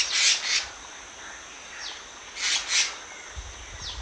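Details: Black-naped monarch giving harsh, rasping double bursts, two quick scratchy notes repeated about two seconds later, with thin faint downslurred whistles between them over a quiet background.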